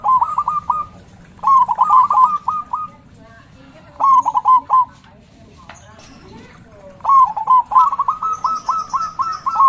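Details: Local zebra dove with a special loud voice, used as a lure to stimulate other doves. Several bursts of rapid, rising-falling coo notes are separated by short pauses, and the final phrase is a long, even series.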